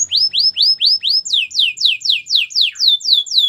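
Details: Belgian canary song for training canaries: a rhythmic series of upswept whistled notes, about four per second, changing into a run of down-slurred notes.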